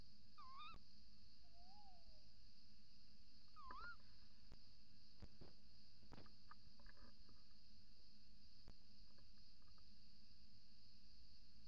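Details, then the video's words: Before dawn on 28 December 2018, a female little owl calls at the nest-box entrance while the male calls outside: two wavy rising mewing calls, a softer lower drawn-out call between them, then clicks and knocks, with a constant high whine. "Bosuil, V roept in vlieggat/op de cam, M roept buiten"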